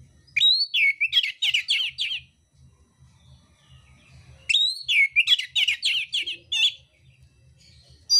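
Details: Oriental magpie-robin of the mintal type, fighting and unloading rough fill-in notes: two long rapid runs of buzzy, rattling chattered notes, each opening with a high whistled slur, separated by a pause.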